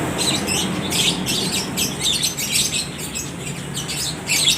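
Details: Caged lovebirds at a bird market in Aceh Tamiang answering one another: continuous shrill, rasping high chatter in overlapping bursts, with barely any pause between them, over steady low market noise.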